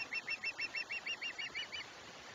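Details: Osprey at a nest on the Chesapeake, 21 July 2021, giving a rapid series of about eleven short, high, whistled chirps, evenly spaced, over steady background hiss.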